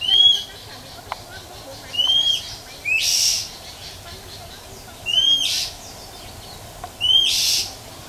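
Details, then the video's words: Wild female Oriental magpie-robin calling in nature to stimulate males; brief rising whistles with chip notes recur about every two seconds, four in all, interspersed with loud hissing noise bursts. "Chòe than mái rừng ngoài thiên nhiên huýt chẹp kích trống siêu nhạy | chòe than mái hót kích trống"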